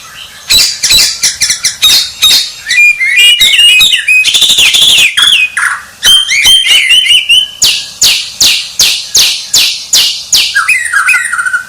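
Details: White-rumped shama, called a champion, in fast, dense song: a rapid stream of clicks, whistles and buzzy downslurs, ending in lower warbled phrases.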